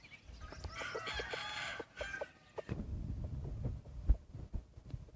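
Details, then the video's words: Decoy chicken with white ears: a roughly one-and-a-half-second harmonic crow near the start, then scattered short clucks and low thumps as the sound fades. "Qaib dib dawb pob tseg zoo nkauj heev(ไก่ต่อหูขาว)"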